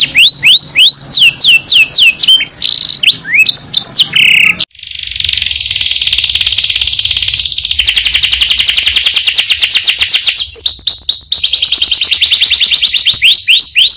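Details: Persistent singing canary delivering a long roll within a richly varied song. Brief downward-slurred whistles lead into a sustained, dense, buzzy high roll lasting about nine seconds, ending again in quick sweeping notes.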